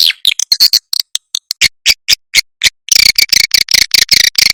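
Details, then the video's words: Swiftlets in a recording used as a lure to pull the birds in and make them roost. A run of dry, sharp clicks at uneven intervals leads into a fast stuttering series of high chirps. "SUARA WALET"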